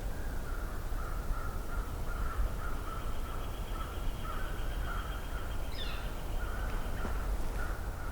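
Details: Several American crows approaching at Johnston Harbour in mid-May 2023, about 10°C, give harsh, repeated caws that overlap in a steady stream, over a constant low rumble of wind or distant traffic.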